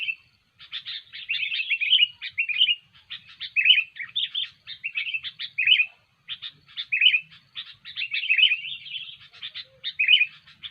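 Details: Sooty-headed bulbul (kutilang) singing persistently, as used to attract birds to a trap. Scratchy twitters lead into clearer, bouncy warbled notes in repeated phrases roughly every second or two, with a short break midway.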